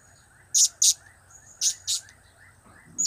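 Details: Pet blue-crowned hanging parrot giving cap-cap, kiak-kiak and crap-crap calls: two pairs of piercing, very high chips separated by a short gap, with one more note cut off at the end.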